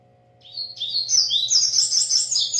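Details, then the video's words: Double-collared seedeater from a breeder, singing vigorously. Opening high whistles climb into a continuous run of fast, sharp, high-pitched chirps that is still going at the end, with a steady low hum behind. "papa capim coleiro cantando muito"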